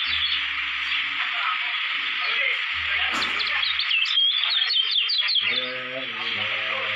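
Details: A Lombok white-eye contest candidate sings steady high twittering with bright whistled slurs. Low humming tones and a stretch of pulsed harmonic notes sound beneath it.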